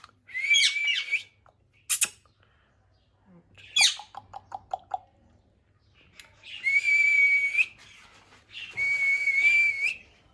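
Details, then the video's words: Talking parrot in its natural voice: long, harsh, drawn-out squawks and screeches with a steady whistled tone running through them, separated by short clicks and a brief series of rapid chattering notes. "Talking parrot Natural voice"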